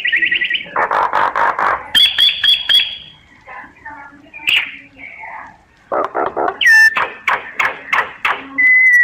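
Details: Myna in full song, alternating dense buzzy chatter, a drawn-out whistle, soft gurgling notes and a hooked whistle, ending on a steady pure tone.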